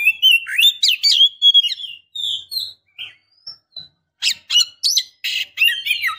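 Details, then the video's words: Oriental magpie-robin female calling the male to provoke emotion and mating urge: quick run of whistled slurs and chirps, then a quieter spaced phrase, then dense scratchy high notes. "KACER BETINA Memancing KACER JANTAN"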